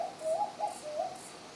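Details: A Bar-shouldered Dove (Geopelia humeralis) at Kobble Creek in December gives a mellow, wavering coo: a quick run of three or four soft, low notes that lift and dip.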